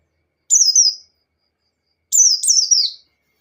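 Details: White-eye giving ngalas-style song to provoke a rival: a single high descending slurred phrase, then after a pause a double phrase of quick falling notes; silent background.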